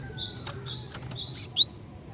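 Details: Female Javan sparrow calling to males with a rapid string of high, clear chips, about six evenly spaced notes followed by two louder, sharper down-slurred whistles.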